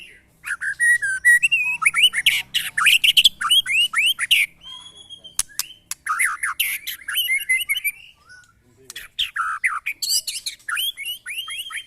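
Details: Murai batu being tested for mental strength beside neighbours' birds. Bursts of rapid looping whistles and harsh chatter, separated by short gaps, with sharp clicks in between.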